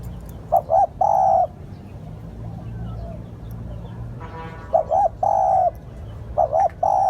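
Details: Spotted dove lure call: two brisk hollow notes then a sustained low coo, the phrase given three times with pauses between; a brief human voice sounds in one gap, over low rumbling background.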